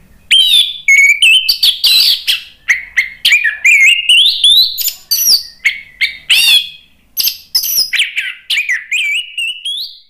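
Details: Orange-headed thrush song used in Indonesia as a lure to provoke a stalled bird into answering with loud, nonstop song: a dense, unbroken run of varied whistles, sharp chips and rising slurred notes, bright and high, with no background noise.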